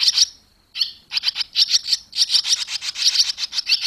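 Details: Barn swallows at the nest as the young fledge, July 2023; rapid, scratchy twittering of quick high chirps, several per second in almost unbroken bursts after a brief pause, with a faint steady electronic tone behind.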